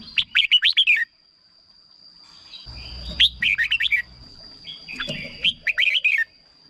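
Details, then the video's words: Bulbul song, red-whiskered, played to rouse birds or serve as a decoy: three lively phrases of rapid, fluty notes swooping up and down, each under a second, with short gaps and a soft background hiss. "เสียงนกกรงหัวจุก สำหรับต่อ หรือ เปิดให้นกคึก เสียงเพราะๆ"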